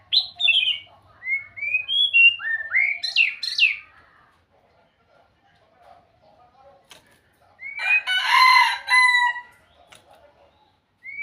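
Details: White-rumped shama song of rising whistled phrases and quick slurred notes, then a pause before a rooster crows in the background.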